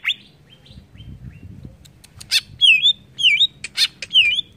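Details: Greater green leafbird song meant to provoke other birds: faint short notes at first, then loud swooping U-shaped whistles alternating with sharp clicks, repeated about every half second.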